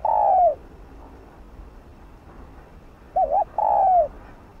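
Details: A decoy spotted dove cooing in 'thúc gù' style to encourage other doves to coo: the end of a long falling coo, a pause of nearly three seconds, then one full phrase of wavering note and drawn-out coo.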